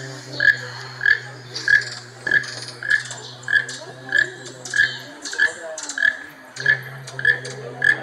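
A keel-billed toucan gives a dry, frog-like croak about every two-thirds of a second. A low mechanical hum runs underneath for the first half.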